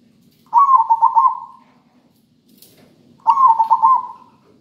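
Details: Local zebra dove singing a melodious rhythmic song, used as a lure for lazy birds: two bursts of soft purring coos, each a rolling series of pulses holding steady in pitch, separated by a pause.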